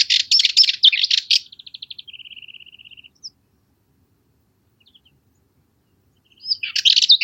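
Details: Song of a Cyprus Warbler: a harsh, rapid chatter, then a steady dry rattle of evenly spaced ticking notes dropping slightly in pitch. After a pause a few faint notes lead into another burst of scratchy chatter.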